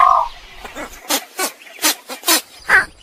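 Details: Egret giving harsh, broad rasping squawks, about five bursts spaced roughly half a second apart, with steady background hiss throughout.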